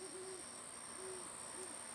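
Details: An owl hooting at night near a backyard where kittens play: soft, low, mellow hoots repeated several times within two seconds, over a steady thin high-pitched hum.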